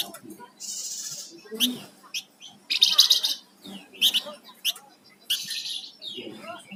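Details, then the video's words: Flamboyan songbird in full gacor song: loud bursts of harsh, buzzy high notes and sharp chips broken by short pauses, with faint low murmuring voices underneath. "Suara Burung Flamboyan Gacor"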